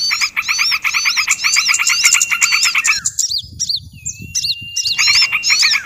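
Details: Trappers' lure sound for attracting small birds: packed, rapid chirping with looping high whistles, then about two seconds of near-quiet broken by a few sharp upswept notes and a long rising whistle, before the busy chorus returns.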